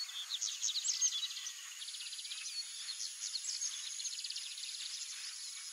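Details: Copper seedeater in the wild giving a fast, high-pitched warbling song of clipped repeated notes and short trills, strongest at the start, over a continuous shrill insect hum.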